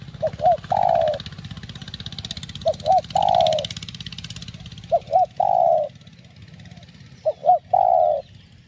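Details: Spotted dove (cu đất) cooing to lure and excite other doves: four phrases, each two short upturned notes and a long mellow coo, spaced about two seconds apart, over broad hissing and rumbling noise.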